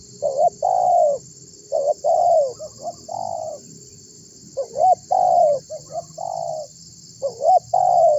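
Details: Spotted dove calling to get other birds to join in: repeated three-part phrases of short upswept notes then a long falling coo, several phrases back to back with low background hum.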